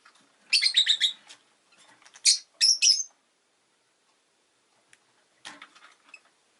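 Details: Rosy-faced lovebird kept as a pet, producing a noisy burst of scratchy chattering, then two loud sharp chirps, with faint rustling and a quieter chatter near the end.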